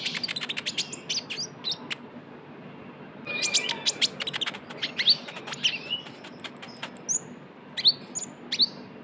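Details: A konin, the Van Hasselt's sunbird or kolibri ninja, sings its trotol chatter as a lure: bursts of quick high clicks and thin whistles, a short lull near the middle, then fast twittering with upward-flicked notes.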